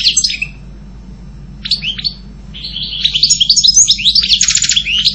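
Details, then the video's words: European goldfinch gives a short twitter, a few scattered chirps, then a fast cheerful song ending in a buzzy rattle. "Canto jilguero Goldfinch song"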